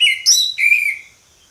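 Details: Orange-headed thrush in ngeplong style. Three ringing whistled notes, the last long and gently falling, fade away within about a second.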